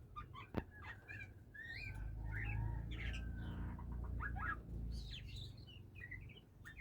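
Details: Oriental magpie-robin (kacer) starting to sing, giving a rambling run of varied twittering and chirping notes, some rising and falling, others short and sharp, with a loud low rumbling background throughout.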